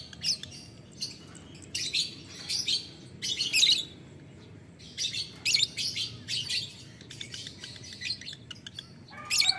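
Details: Lovebird calling a rival with long runs of ngetik ngekek: repeated shrill, scratchy chatter bursts, about one every half second to second, loud and steady across the stretch. A low hum sits in the background.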